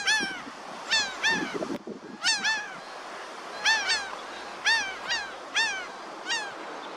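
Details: Repeated harsh, nasal laughing-gull notes on a sunny day, each falling slightly in pitch, delivered in irregular doublets and triplets over several seconds, with continuous soft rushing background noise, possibly surf.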